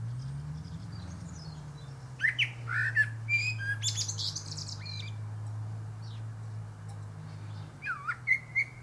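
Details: Singing atop a pear tree, a male Common Blackbird (Turdus merula) produces a burst of fluted warbles and high scratchy twitters, a pause, then a few more sliding whistles, over a steady low rumble.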